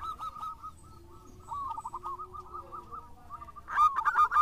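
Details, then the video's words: Vigorously singing local Zebra Dove: a soft, steady stream of small bubbling coo notes, then a sudden loud, rich burst of rolling notes at the end. "Perkutut Lokal Gacor"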